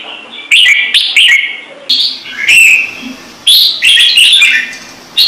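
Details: Red-whiskered bulbul, kept as an ornamental bird, singing standard Trung Mang song. Short whistled phrases of two or three notes each repeat about every second, some swooping up and others down.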